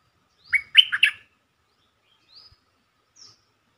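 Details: Bulbul song used as a lure to excite birds: one quick, bright, warbled phrase of four or five slurred notes, followed by two faint high thin notes.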